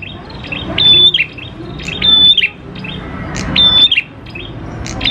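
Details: Prinia song used to set prinias singing: repeated bright flat whistles ending in a falling flick, about every 1.4 seconds, with crisp ticks between them.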